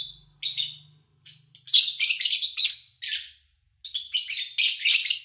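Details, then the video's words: Several lovebirds chattering in August 2019 during a quiet period with few people or engines nearby, giving dense overlapping high squeaky chirps in rapid runs, broken by short gaps, with a faint low hum at the start. "Sounds of Lovebird Chirping"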